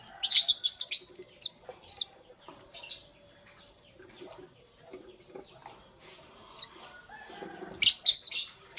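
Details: Lovebirds chirping in the morning, a busy run of high, scratchy tweets, dense at the start and end with softer chatter and faint rustling between.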